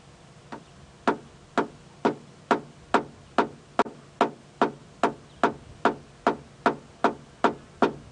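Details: A Red-crested Korhaan calls at Djuma Game Reserve around sunrise on 6 December 2016, a steady series of sharp, dry, wood-knocking clicks, about two per second. It is seemingly calling back at observers, possibly before an aerial display, and another answers distantly.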